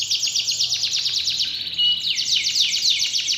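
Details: Lure recording of a singing canary meant to coax a lazy canary back into full song. Fast rattling trills run without pause, sliding downward in pitch, then break into a brighter run of quick descending whistled strokes.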